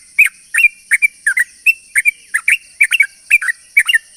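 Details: Sooty-headed bulbul lure song meant to attract other bulbuls: fast, unbroken series of chirpy whistled notes, often in doubled pairs, about three per second, with a constant shrill drone behind.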